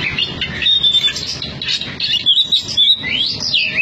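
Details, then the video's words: Contest Oriental magpie-robin from Cianjur giving clear drawn-out whistles, a sweeping rising-then-falling note near the end, and scratchy interjections between phrases. "SUARA KACER NGOTOT"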